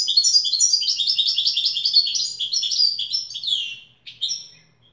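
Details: Goldfinch in Wedani style pouring out a quick, sparkling stream of high trills and twitters, slowing near the end into a few separate notes.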